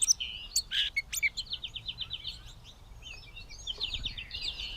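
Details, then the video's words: Bowdoinham, Maine, 16 May 2020: a Gray catbird delivers sharp clicks and squeals, then a rapid ticking series and a wavering, buzzy warble, fairly soft with a quiet background. "The many sounds of the Catbird"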